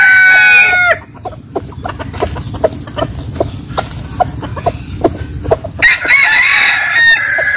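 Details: Rooster crowing in the morning in a home village in western Vietnam: a loud, harmonic crow that falls at its end opens the clip, soft clucks and sharp ticks follow, then another strong, drawn-out crow rises near the close.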